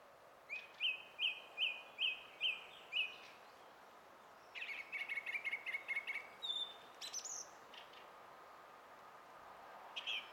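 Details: Song thrush singing, 20 April 2016: six evenly spaced ringing notes, then after a short break a quick chattering run of repeated notes and a high whistled ending.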